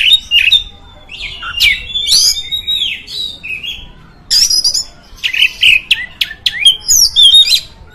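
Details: Varied, loud song of the oriental magpie-robin, meant to rouse other magpie-robins: rich whistled phrases, harsh bursts and sweeping slurs delivered in uneven outbursts with short pauses.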